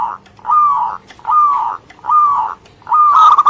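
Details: Local Indonesian zebra dove singing actively: four soft, low cooing phrases, each a short burst of mellow warbled notes, spaced roughly a second apart, with a faint steady hum underneath.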